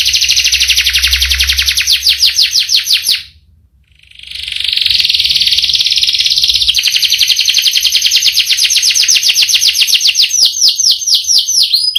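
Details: Canary with a long rolling song, fast pulsed trill, a short break, then the rolling resumes and carries on for about eight seconds with slight changes in pitch.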